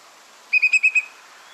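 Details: Whimbrel (Numenius phaeopus) whistled call: a quick, even titter of five clear whistled notes, all on one pitch, over about half a second against a faint background hiss.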